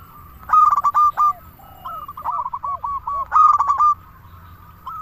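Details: Local zebra dove, recorded to lure doves and stimulate quiet ones to sing; two loud phrases of rapid rolling, stuttered coos with a looser run of medium coo notes between them.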